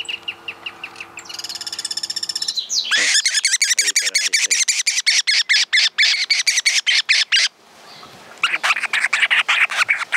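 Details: Guira Cuckoos in rural groves of Santa Fe, Argentina, 2023, give loud, harsh notes in fast runs of about four a second, with a short buzzy series before and a brief pause midway; one may call or others answer.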